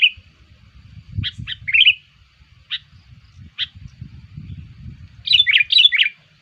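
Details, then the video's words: Lure call of a sooty-headed bulbul to attract bulbuls: scattered sharp notes and a short warble, then a closing burst of bubbly chirps, over a low rumbling background. "SUARA PIKAT KUTILANG"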